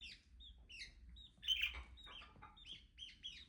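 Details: Budgie chattering softly: short, high chirps and squeaky notes repeated in quick, uneven bursts, with a faint low hum beneath.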